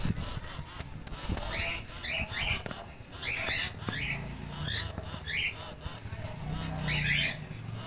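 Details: Keel-billed toucan chicks, one month old: repeated harsh, croaking calls in short bursts with a broad upper band, roughly every half second to second, over low-pitched background rumble and handling noise.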